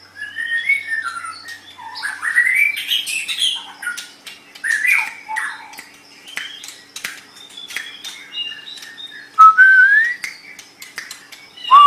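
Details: Murai batu, the white-rumped shama, singing for training other birds: scattered warbles, rising whistles and sharp clicks across a longer passage, ending with clear upward-sliding whistled notes.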